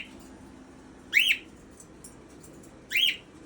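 Pet birds give two loud, arched whistled calls about two seconds apart, calling to a young cockatiel.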